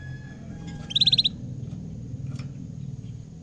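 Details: A caged canary seeing a camera for the first time delivers one brisk high trill of repeated notes over a steady low hum, followed by faint clicks.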